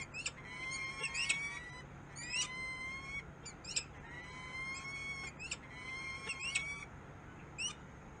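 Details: Peregrine falcon calling in Harrisburg, USA: repeated bouts of harsh chipping notes merging into drawn-out, slightly rising whining tones, several series across the recording, with steady background hum.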